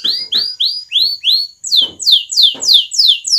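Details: A canary lure song, meant to prompt pet canaries to roll and sing in bursts: a quick tour of rising whistled notes, about three a second, then a run of bright, sharply falling sweeps.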